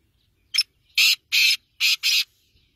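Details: Call of a black francolin (Kala Tetar): a short squeaky opening note, then four strident, rasping notes grouped in two pairs over roughly two seconds; surroundings otherwise nearly silent.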